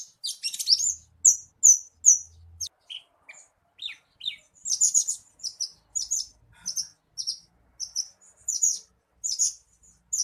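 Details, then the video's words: Bushlark song used as a lure to spur a caged bird into full song: opening high chirps, a short pause with a few lower notes, then dense high twittered bursts and repeated sharp chirps. "SUARA PANCINGAN BURUNG BRANJANGAN AGAR CEPAT GACOR"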